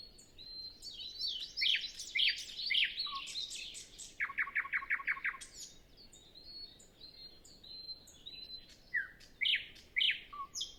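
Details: Nightingale singing in early morning before sunrise on a windless day, other birds not yet singing, recorded with a Zoom F6 and Sennheiser MKH 8040: varied high whistles and trills, including a burst of quick repeated notes.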